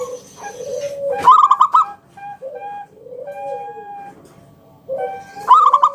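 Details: Ngalun kung bulat song from a local zebra dove, meant to draw other doves into singing: two loud bursts of rapid coos, with soft low coos and steady clear tones between them.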